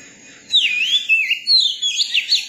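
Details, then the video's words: Young Oriental magpie-robin singing: after a quiet start, a loud whistle swoops down and up, then several sliding notes and a rapid string of sharp chirps follow. "tiếng chim chòe than bổi hót"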